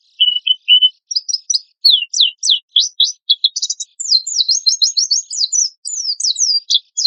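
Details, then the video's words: Oriental white-eye tutor song used as a lure to set other birds singing. A few level whistled notes lead into rapid, high, varied chirps and twittering trills that grow denser toward the end. "PANCINGAN PLECI GACOR TEMBAKAN KASAR"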